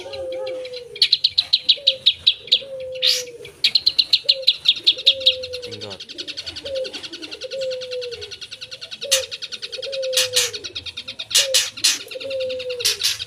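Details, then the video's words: Long-tailed shrike in full isian song, bursts of rapid high ticking notes and occasional harsh rasps, while a lower slurred whistle repeats about every second throughout. "Suara Burung Cendet Gacor full Isian"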